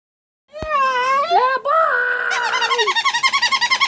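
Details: Pet bird indoors doing baby bird talking: drawn-out, wavering tonal notes rising and falling, then a fast run of short repeated chirping notes, several per second, in a quiet room.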